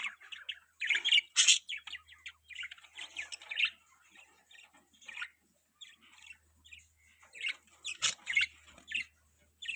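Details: Budgies chattering with rapid, varied scratchy chirps and warbles, a sharp squawk near the end, with a faint low hum in the background.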